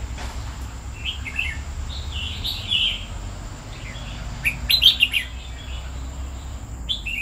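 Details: Two-year-old pet red-whiskered bulbul sings scattered whistled phrases with a brighter burst of sharp chirps midway, over a persistent high electrical tone and low hum.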